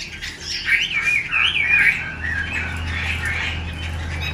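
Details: Female Chinese hwamei kept in a cage, calling to stir up males; a short burst of warbling, wavering whistled notes that fades into a steady low hum.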